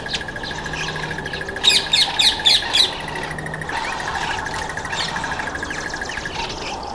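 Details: Red-billed (green) wood hoopoe at a feeding table gives a short burst of five harsh, squeaky cackling notes in quick succession, over a steady high hum and soft background noise.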